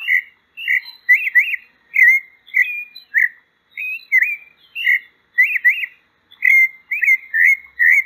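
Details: Sabiá-poca pouring out a lively sequence of whistled notes, doubled twisting phrases mixed with single slurs and upswept calls, nearly continuous with short breaks.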